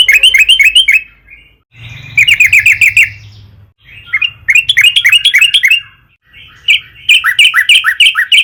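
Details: As a lure to stir other trucukan into singing, a Sooty-headed bulbul delivers repeated short bursts of rapid bright chirping, four phrases separated by brief pauses.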